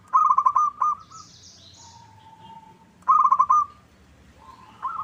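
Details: Lure call of a local zebra dove, played to draw answering song from rivals: two bursts of quick staccato coos separated by a quiet gap with a faint high chirp from another bird.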